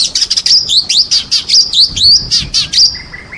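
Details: Champion white-rumped shama song, recorded with rain sounds: rapid, high, twisting whistles and chirps in quick succession, with sweeping slurred notes and a soft low rumble underneath.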